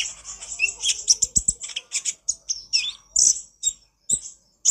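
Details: Konin, the olive-backed sunbird, on a training master track, chattering busily: a dense run of piercing high twitters and short slurred notes, broken by a few sharper clicks near the middle and end.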